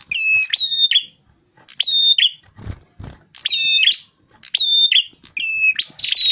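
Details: Lure recording of a rufous-fronted prinia singing vigorously. High whistled notes run in layered steady tones with buzzy trailing ends, given in repeated bursts with brief gaps. A few soft clicks fall between the phrases.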